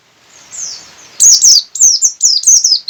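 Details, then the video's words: Buxtoni Javan white-eye from Sukabumi singing hard: a faint thin note, then a string of loud, high, sharply descending slurred phrases, each about half a second long and repeated back to back. "Burung pleci buka paruh ngotot"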